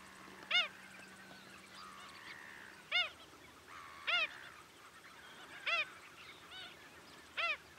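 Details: Wrybills at Miranda in February 2012 give five separate short, honking call notes. Each note is a quick arch with stacked overtones, repeated every one to two seconds over faint background chatter.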